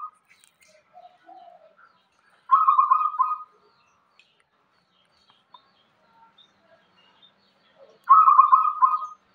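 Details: Indonesian local zebra dove singing: a few quiet introductory notes, then a loud, fast, rattling coo phrase, repeated after roughly five and a half seconds of near silence.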